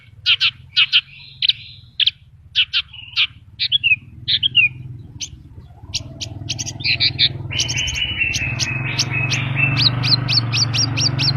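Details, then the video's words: Vigorous gacor singing of a Horsfield's bush lark, full of isian phrases: quick high chirps and brief trills, then rapid ticking notes over a sustained buzzy tone as a steady low engine-like rumble swells. "BURUNG BRANJANGN GACOR FUL ISIAN"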